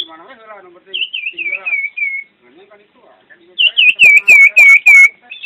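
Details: Common iora, a champion bird in full song: a series of bright whistled notes stepping slightly downward, a pause with faint low sounds, then a louder repeated series of curling whistles.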